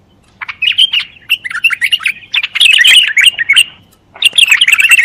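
A bulbul pours out quick, bubbly warbling phrases in rapid bursts, with a brief pause before a final chattering run.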